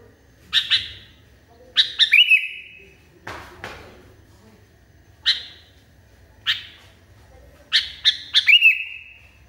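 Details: Sooty-headed bulbul, described as raging hard, giving scattered sharp chips and two chip-and-whistle phrases; a short noisy rustle interrupts near the middle.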